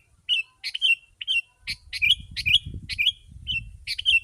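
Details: Lively sooty-headed bulbul song meant to draw in wild birds, a rapid run of sharp chattering chirps and slurred whistles in quick succession, with low background rumble joining midway.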